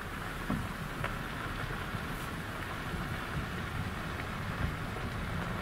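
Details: Rain patters steadily with a low rumble of wind or traffic, and no animal calls.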